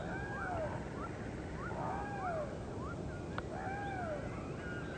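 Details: Great blue heron chicks at the nest, hungry and anxious for breakfast, beg with drawn-out, slurred whining calls that sweep up and down and overlap one another, with one sharp click; slow-motion footage.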